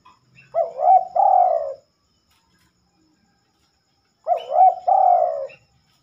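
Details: Spotted dove singing after dark, unusual for this bird: two identical low cooing phrases about four seconds apart, each a quavering coo followed by a longer, rolling, falling note, with silence between.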